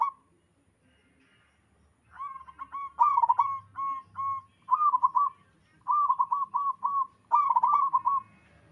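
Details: Local zebra dove singing while others answer: a quick run of short, soft, bubbling coo notes, some grouped in pairs and triplets, growing louder and more trilled toward the end.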